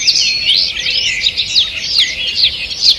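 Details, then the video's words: Birds singing in a forest on the morning of 2 June 2023, a busy tangle of high sweet warbles and quick descending whistles from several singers over a faint hiss. "Утреннее пение птиц"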